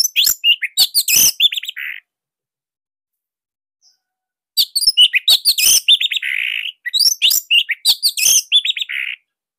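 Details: Orange-headed thrush song meant as a master for training other songbirds: dense rapid bursts of sharp notes, whistled slurs and buzzy rasping phrases in two long strophes split by a pause.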